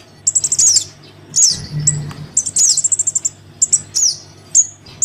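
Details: Crimson sunbird nestling calling to its parent, a lure sound: strings of very high rapid chips break into falling slurred notes, then pause, with single thin downward whistles between bursts; low background hum.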